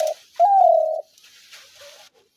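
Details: Spotted dove call of the kind used to lure doves into traps: a brief low coo, then a long, steady, slightly falling coo of about half a second, with faint rustling afterward.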